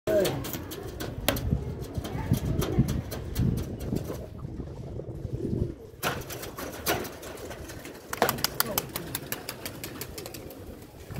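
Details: Pigeons cooing in low, rumbling tones with repeated soft calls, broken by sharp clicks and bursts of wing flapping, in a busy, noisy setting.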